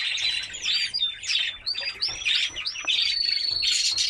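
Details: White canary in training song intended to stimulate females toward mating, delivering quick upswept whistles repeated about one and a half per second, then a sustained high trilled note.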